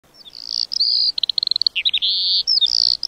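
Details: Lark singing: high, thin whistled notes and rapid trills around the upper register, a buzzy stuttering run in the middle, then sustained shrill tones; no other sounds.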